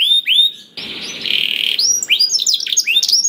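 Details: Canary song used as a lure to get other canaries singing: a couple of high whistled slurs, a buzzy harsh phrase, then varied rising and falling chirping notes.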